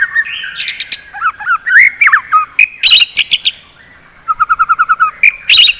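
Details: Morning song of a white-rumped shama, used to rouse fighting birds: loud varied whistles and sharp rapid notes, then a fast even series of about eight clipped chips.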